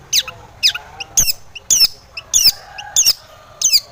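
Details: Harsh, scratchy notes from a Long-tailed shrike used as a singing lure for other shrikes, repeated roughly every half second, with softer short chirps between them.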